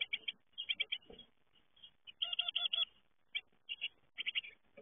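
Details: Great tit fledglings leaving the nest, giving quick runs of short, harsh, chattering notes in uneven clusters, with a louder, more tonal burst of repeated notes near the middle and brief pauses between groups.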